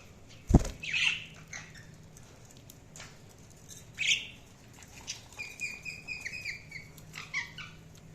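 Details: Sparse budgie chirps: a sharp click early on, a squawky chirp near one second and another near four seconds, then a string of quieter, shorter chirps toward the end.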